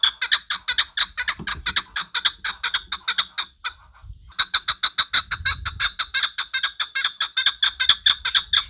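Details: Chukar partridge giving a steady run of rhythmic clucking chuk notes, roughly two each second, pausing briefly midway, with some low rumbling noise underneath.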